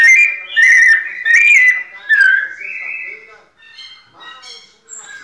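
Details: A captive-bred male White-necked thrush sings slow, clear, fluting whistled phrases, each about half a second long, then softer, higher notes trail off toward the end.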